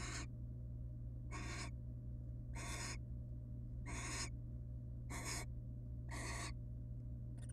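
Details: Inside a monitored wild barn owl nest box, a pair beside their young; six loud breathy screeches, each roughly a third of a second, spaced about a second apart, with continuous low hum.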